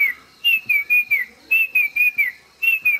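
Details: Banded bay cuckoo singing in Coorg, India, answering a person imitating its call: clear whistled notes in groups of three to four, each group slightly falling, repeated with short pauses.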